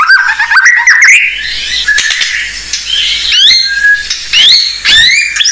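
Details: Blorok white-rumped shama song used to lure other shamas: rising whistled slurs, a few sharp clicks and upward-sweeping notes with short gaps between phrases.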